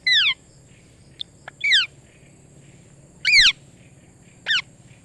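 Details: Parrot repeating a loud, harsh, downslurred squawk four times at irregular intervals of roughly one to one and a half seconds, with faint clicks between calls and quiet background.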